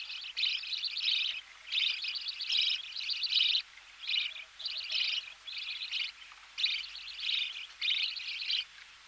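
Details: Nestling budgerigars being fed, heard close: loud scratchy chirping bursts, some linked into longer rasping runs, repeated at an uneven pace around one and a half per second.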